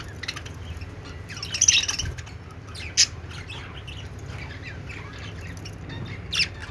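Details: Budgies, Australian parrots, in happy chatter: quiet twittering throughout, broken by three loud harsh squawks spaced a few seconds apart, with a low background hum.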